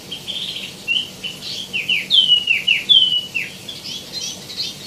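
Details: Tieumi, or wambi mini, singing energetically with plenty of varied fill-in phrases: high whistled notes and repeated downward-sweeping chirps, loudest midway, delivered at about two to three per second.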